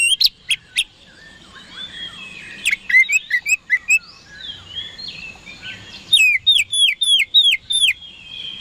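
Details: Kacer, the oriental magpie-robin, singing to goad rival birds into responding: sharp isolated clicks, a varied twittering passage, then a quick run of six repeated falling whistles.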